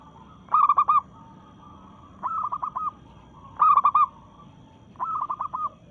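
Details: Local zebra dove singing to challenge rivals while in breeding mood: four phrases of rapid bubbling coos, alternating louder and softer as if answered by a second dove, each roughly a second and a half apart.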